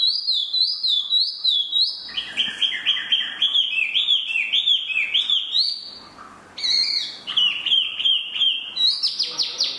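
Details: Spot-throated babbler (tieu mi) in long rich song: repeated whistled couplets, then cascades of rapid fluty notes, a brief pause, and more bright varied phrases.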